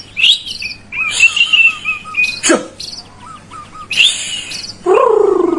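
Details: White-rumped shama singing to stimulate a lazy bird: scattered whistled notes, short high trills and soft repeated low chirps, with a sudden loud harsher burst near the end.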